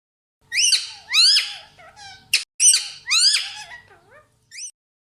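A parrot gives harsh, rising squawks in quick bursts, about five over four seconds, with a few softer squeaky notes in between.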